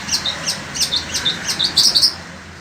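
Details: Pet long-tailed shrike of the sembur variety in Indonesia, singing through intense heat: a quick series of high squeaky chirps, fainter than usual over steady background noise, with a brighter burst near the end.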